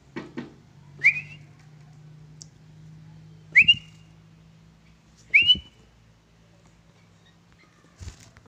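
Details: A pet Sooty-headed bulbul (Pycnonotus aurigaster) kept indoors gives three short, clear whistled song phrases that rise and bend upward, spaced about two seconds apart, over a low indoor hum with a few soft knocks.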